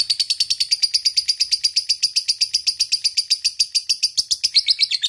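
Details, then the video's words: Lovebird, fighter type, in a long ngekek chatter aimed at a rival: a steady, very fast series of sharp high notes, about four or more per second, continuing evenly throughout. "LB FIGHTER NGEKEK PANJANG masteran lovebird ngetik ngekek panjang"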